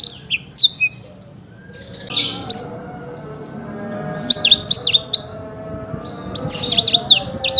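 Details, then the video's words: Black-throated canary, a champion caged bird, giving separate bursts of high chirps and slurred whistles between pauses, over a faint low hum. "Burung Blackthroat Gacor"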